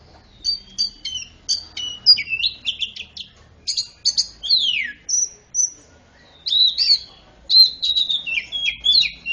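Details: Greater green leafbird performing a magpie-robin fill-in song meant to prompt mute birds into singing; rapid sequences of high clipped whistles, a long falling slur, then rolling warbled phrases, nearly continuous.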